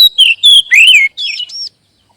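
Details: Oriental magpie-robin song used as a lure to prompt other magpie-robins into singing: rich whistled phrases sliding down and up, warbling notes in quick succession, ending in a rising arched whistle before silence.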